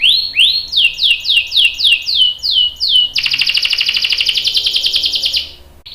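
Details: Singing canary, young male answering in the recording: a string of clear descending whistled slurs, roughly three a second, breaking into a long, rapid, buzzy rolling trill that runs over two seconds.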